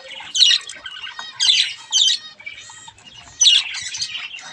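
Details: Playful baby budgerigars with a mirror let out three loud, harsh squawk bursts about a second apart over soft, continuous chatter.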